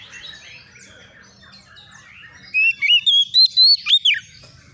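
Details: Oriental magpie-robin, an untrained young bird replying instantly in agitation to a rival: quiet twitter, then about six loud ringing whistles rising in pitch, ending in a swooping down-slurred note.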